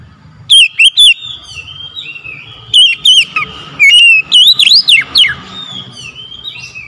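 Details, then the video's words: Morning song from an oriental magpie-robin: clusters of loud whistled notes, first three, then several wavering and swooping phrases, with a faint sustained tone between them. "OCEHAN KACER DI PAGI HARI"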